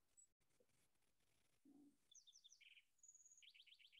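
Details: Lark Sparrow, a bird of grassy areas with scattered trees in Iowa, sings a quick jumble of high chirps, a buzzy note, a thin whistle and fast trills, after a brief low murmur and background hiss.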